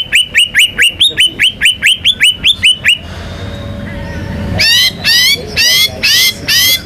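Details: White-rumped shama, a national contest champion singing in full voice with mimicked material: about ten quick rising whistled notes repeated in a fast roll, a short pause, then five loud buzzy descending strokes.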